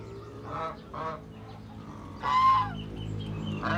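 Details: Noisy domestic geese kept with ducks in the Philippine countryside, giving four nasal, trumpeting honks, two short early ones and a louder drawn-out honk near the end, over a steady low hum.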